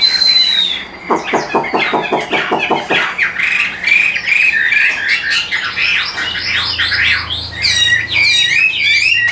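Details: Caged Hwamei from Vietnam opening with a high whistle, then a burst of staccato clicking notes, then a tumbling medley of varied bright whistles and twitters, with a faint low hum late on.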